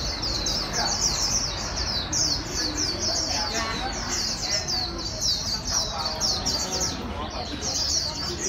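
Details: Captive wild-caught white-eye urged to sing rapidly; an unbroken stream of very high, quick twittering phrases, loudness pulsing slightly, with some muffled background noise below.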